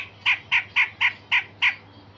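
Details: Sharp, scratchy grey-cheeked bulbul notes, part of a recording meant to make other songbirds respond: six evenly spaced harsh chips about a quarter-second apart, steady in pitch, over a low hum.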